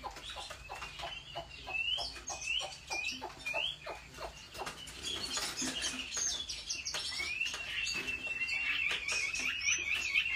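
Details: Chinese hwamei song recorded during home training for singing contests. Faint rising whistles and a trilled passage sound over loud clicking and rustling noise.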